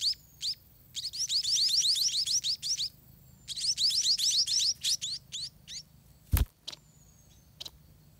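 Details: Spotted munia nestlings begging for food at the nest: bursts of thin, upslurred, high chirps run together quickly, then thin out into scattered notes, with one sharp knock near the end.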